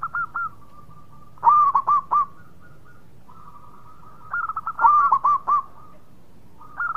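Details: Zebra dove of local Indonesian stock singing actively: loud clusters of quick bubbling coos separated by quieter sustained trilling, the main burst recurring roughly every three seconds.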